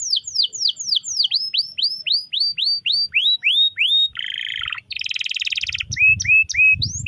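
Canary song: a fast run of bright, downward-slurred whistles about four per second, then a buzzy rapid trill and more clipped rising notes.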